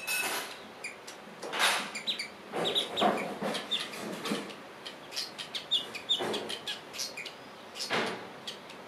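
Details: Cape weaver (Ploceus capensis) perched in a bush beside a cabin at Glen Reenen Rest Camp, Golden Gate National Park, South Africa, 23 Nov 2022, giving harsh, rasping, sizzling bursts about a second apart, thin high chips between.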